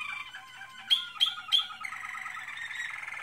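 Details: American Singer canary in training delivering a warbling song punctuated by three sharp, bright chip notes about a third of a second apart, followed by a smooth sustained rolling trill.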